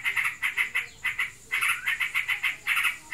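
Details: Caged yellow-vented bulbul in breeding condition, chattering in the 'ngebren' style: clusters of quick buzzy rattled notes in groups of three to six, separated by short pauses, with steady hiss behind.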